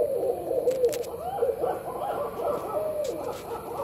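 Barred owls give a run of overlapping, wavering hoots and cackling notes, rising and falling in pitch, as if more than one bird is calling together.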